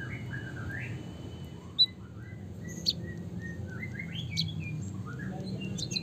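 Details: White-headed munia (Java munia) singing a canary-like song, a busy run of thin chirps and short rising whistles, irregular and high, over a steady low hum; used to stimulate other munias to sing.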